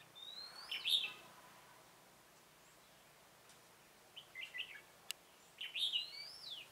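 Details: Red-whiskered bulbul at a decoy trapping session, 27 October 2017: two warbled phrases about five seconds apart, each joined by a long, slurred rising whistle, with a soft chatter and one click between.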